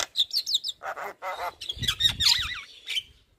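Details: Javan myna song used as a lure to coax reluctant captive mynas into singing: a varied, rapid run of chirps, harsh buzzy notes and wavering warbled whistles, loud and continuous, with some low rumbling in the middle.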